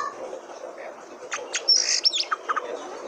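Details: Oriental magpie-robin song meant to stir other caged magpie-robins to sing: a quiet start, then a quick cluster of sharp high chirps and a bright whistled note, followed by rapid clicks, over steady hiss.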